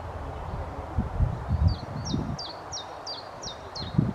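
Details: Short-toed Treecreeper in the Dwingelderveld giving a run of about seven thin, high, evenly spaced notes, each dipping slightly, roughly three per second, over low rustling and wind rumble.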